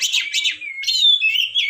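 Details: Oriental magpie-robin song: two quick buzzy bursts followed by a long, clear whistled note that holds steady, then more scratchy, warbling notes over a sustained whistle, all high and bright.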